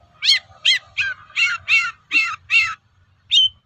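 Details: Harsh, rasping notes from a long-tailed shrike, repeated about every third of a second in a run of seven, then a pause and one clear whistle; lure song meant to provoke other shrikes to respond.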